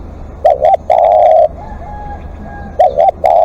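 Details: Live decoy spotted dove calling: two clipped rising-falling coos then a long even coo, followed by a fainter distant coo and the next double-note start, recorded close.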